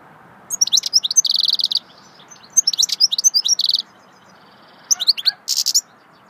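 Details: Singing goldfinch in swittey style, three bursts of lively high twittering, each carrying a ringing buzzy trill, with short gaps between.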